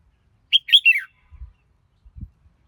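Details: Cheerful phrase from a red-whiskered bulbul: four quick whistled notes, the loudest in the middle, sliding downward in pitch, then several dull low knocks in the quiet afterward.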